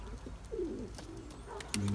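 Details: Four-year-old male Turkish tumbler pigeon chasing his mate so she will lay eggs; one clear throaty coo that dips and wavers, then softer murmurs, with brief clicks and a sudden knock near the end.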